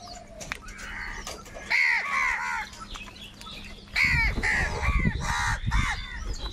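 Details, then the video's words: Crows in a food fight utter two clusters of harsh, grating caws, the second burst mixed with heavy scrabbling and flapping noise. "Crow bird Fight for Food | very loud voice of crow sound"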